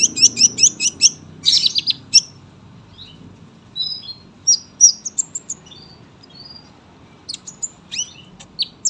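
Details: High, thin sunbird phrases: a quick burst of sharp chirps at first, then scattered single tweets and short whistles separated by brief gaps, over a faint low hum.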